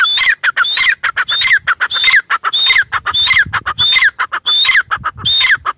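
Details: Grey francolin, locally called teetar, calling loudly: shrill, rhythmic phrases repeated about every 0.6 seconds across the whole clip, each a high clear whistle followed by harsh, downward-sliding notes.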